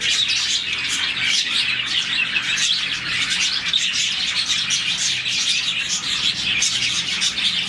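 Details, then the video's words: Roughly 40 budgerigars in a captive colony giving contented chirps in the morning; a loud, steady chorus of high, sharp chirps and chatter from many birds at once. "Lovebirds, budgies, parakeets morning chirping sound"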